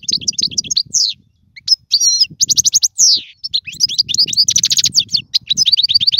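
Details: European goldfinch song, offered as tutoring for young birds: rapid twittering, tinkling phrases with buzzy trills and liquid notes in quick bursts, one short pause near the middle, over a faint low rumble.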